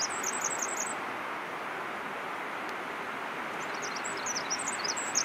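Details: Pacific wren singing on Vancouver Island: very high, rapid tinkling trills in two bursts, one at the start and one near the end, over a loud, steady rushing noise.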